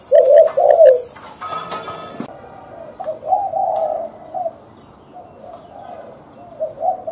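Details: Captive decoy spotted dove used for trapping gives soft, low, hollow coos in short phrases, with quiet pauses between them; clicking and a rattling noise are heard near the start.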